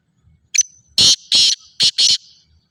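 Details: Black francolin, known as kala teetar, gives a loud grating call: a brief clipped opening note, then four rasping, buzzy, high notes delivered rapidly within about one second.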